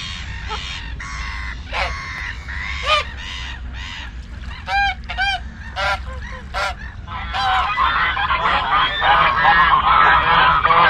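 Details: Farm geese giving loud nasal honks, at first spaced and separate, then coming faster and overlapping into a noisy chorus of many birds by the end.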